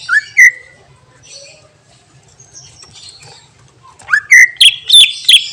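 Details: Greater green leafbird (cucak ijo) delivering its 'isian' fill-in song, used to stir up other birds: a loud rising whistle, quiet twittering, then a burst of five or six sharp, loud whistled notes packed close together.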